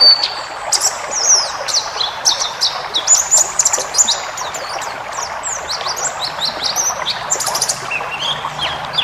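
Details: Forest-type pleci (white-eye) song for training cage birds: a busy, twittering stream of very high chirps and short slurred whistles, dense and continuous, with faint background noise.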